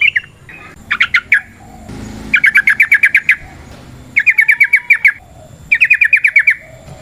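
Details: Wild yellow-vented bulbul in forest with long 'ropel panjang' rolling song, used as a lure. Bursts of rapid, bubbly repeated notes, separated by short pauses and faint background hiss.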